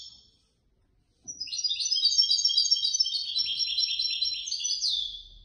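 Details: European goldfinch that won third place in a competition held by the Casablanca bird lovers' association. After a second of silence it gives a fast, dense run of bright twittering notes, trills and buzzy slurs, ending on a rising, sliding phrase.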